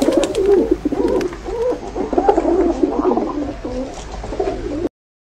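Pigeons cooing, low throaty rolling coos overlapping continuously from several birds, with soft wing flutters and a slight indoor echo.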